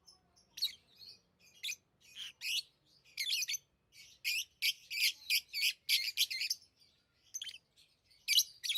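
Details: Tame pet lovebirds squawk and chirp rapidly: harsh, high notes in fast runs, thickest in the middle stretch, then tapering to scattered calls.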